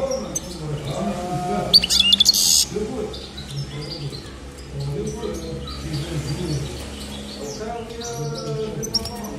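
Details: European goldfinch (maqnin) singing in bursts of high, sharp chirps and short scratchy trills, with a loud squeaky flurry near the start, while a man's voice talks over the bird for most of the recording.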